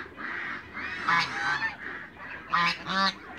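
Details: Backyard African geese, adults alongside young birds, utter harsh, braying honks. Softer calls build to two loud bursts near the end, with overlapping voices between.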